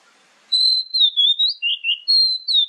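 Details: Morning and evening lure song attributed to the Oriental magpie-robin: pure, sustained high whistles held steady, with brief dips to lower warbled notes, clear and loud in a silent background.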